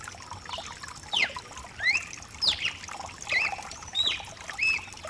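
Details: Mutation cardinal song recorded for warming up a cardinal: a series of brisk, high whistled slurs and short rising and falling notes about once a second, with rain pattering and trickling throughout.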